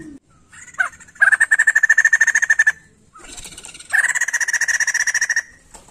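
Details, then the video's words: A white-crested laughingthrush gives two loud bursts of rapid, evenly repeated chattering notes, each about a second and a half long, with a brief quieter pause between. "Poksay Jambul gacor mantap untuk merangsang bunyi burung poksay bahan"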